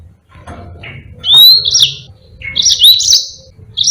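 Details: Tutor song of a Yellow-fronted canary for teaching other birds: short bursts of high, bright whistled upsweeps and twitters separated by brief pauses, over faint low background noise.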